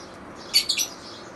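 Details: A lovebird gives a brief, bright double chirp, harsh and high-pitched, in a quiet setting.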